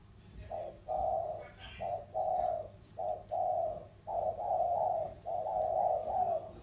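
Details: Thổ-style spotted doves, Sóc Trăng lowland versus Cam Ranh mountain, trading coos; a run of low hollow phrases, short notes each followed by longer held ones, repeated roughly every second, with a brief higher chirp.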